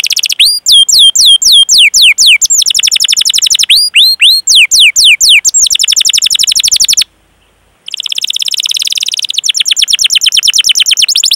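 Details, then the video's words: Persistent canary song in the 'cuit cuit' rolling style, played to lure other canaries into song: bright looping downswept whistles alternate with long fast trills, broken by a short silence before a dense buzzy roll. "Masteran Suara Burung Kenari Gacor Panjang cuit cuit Ngerol untuk Pancingan Kenari!"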